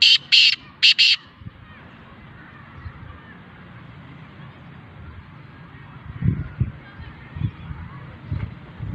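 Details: A black francolin for sale calls with a brief pair of harsh rasping notes, followed by a long stretch of quiet background hiss and low thumps.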